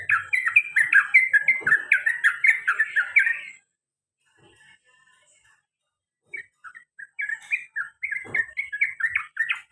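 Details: Sooty-headed bulbul, a caged male, in ropel panjang and garuda song. A rich, rapid warble of liquid notes fades to silence, then short chirps build into another bubbly phrase.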